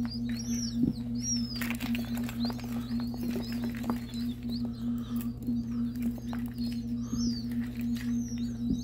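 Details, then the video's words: Sixty newly hatched ring-necked pheasant chicks, just taken from the incubator and hatched from eggs brought from Nebraska, peep constantly, with high, thin, arched notes overlapping, over a steady low electrical hum. "60 Ring Pheasant Chicks!"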